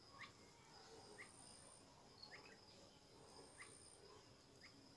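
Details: Newborn bulbul chicks at the nest as a parent feeds them: short, thin rising chirps repeated about once a second, set against a steady high insect-like whine and soft background hiss.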